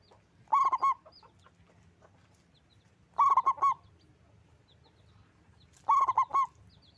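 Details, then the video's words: Loud local zebra dove delivering three bubbling cooing phrases about every two and a half seconds. Each phrase has a quick stutter of notes and a longer final coo, with faint chirps behind. "Perkutut lokal gacor suara besar"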